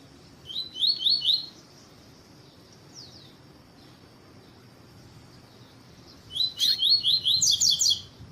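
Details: Caged double-collared seedeater of the tuí-tuí song style, male with a female calling, used to excite a caged male: bursts of fast, high, buzzy chirping trills near the start and again toward the end, quiet pause between.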